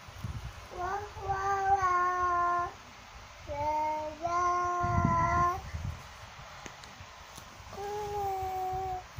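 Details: Cockatoo song of drawn-out, harmonic-rich notes, some held level and some stepping up, in several phrases separated by pauses, over a low rumbling background.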